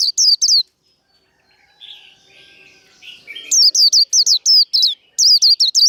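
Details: White-eye in fighting warble (líu đấu) for rousing rival birds. A short burst of high hooked whistles, then soft lower chatter, then a fast run of about ten piercing whistled notes.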